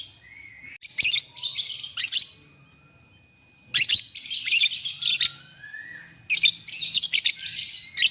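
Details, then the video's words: Lovebirds in the morning answering each other: clusters of sharp, shrill chirps and scratchy twitters separated by quieter stretches with a faint steady whistle-like tone and gliding notes. "SUARA BURUNG LOVEBIRD PAGI HARI. 2 DETIK LANGSUNG BERSAHUTAN"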